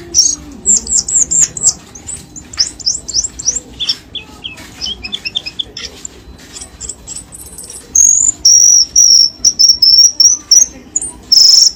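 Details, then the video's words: Cucak keling lure sound played to encourage lazy caged birds to sing: quick high chirps and twittered notes at first, then a run of clear, steady whistled notes repeated roughly twice a second. "SUARA PIKATAN BURUNG CUCAK KELING"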